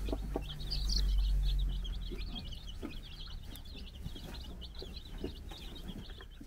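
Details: A group of four-day-old baby chickens on a Czech farm chirp steadily as they run around with their brood hen, an even, fast train of high peeps from many chicks, with a low rumbling burst early on and light clicks.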